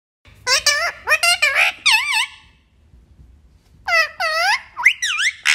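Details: Talking parrot voicing bursts of bright, sharply modulated, speech-like syllables with wavering harmonics, two groups separated by a second of quiet, followed by a woman speaking Hindi.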